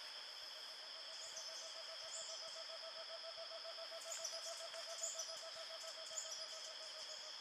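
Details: Cinnamon Screech Owl at San Vicente de Chucuri in the Eastern Andes, June 2013. It gives a low, even, rapid trill of pulses that runs through the whole seven seconds. A steady high insect drone and faint higher chirps play behind it.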